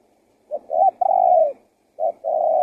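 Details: Spotted dove coos used as a lure for wild doves: one full phrase of two short notes and a long falling coo, then a second phrase begins with a short note and a sustained coo.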